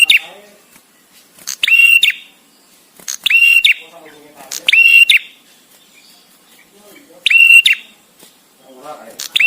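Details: Visiting male bar-winged prinia repeating a loud phrase of rapid clicks and a sustained buzzy high note about every two seconds, five times, with faint low murmuring between phrases.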